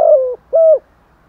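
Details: Caged spotted dove used as a lure, cooing to draw and provoke wild doves. Two low mellow coos: the first slides slightly downward and the second is level and clear, with silence after.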